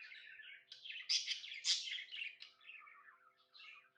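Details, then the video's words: Happy budgie chirping in a small room: steady buzzy warbling chatter punctuated by two loud sharp squeaky chirps, then softer descending twitters. "Happy budgie chirping sounds"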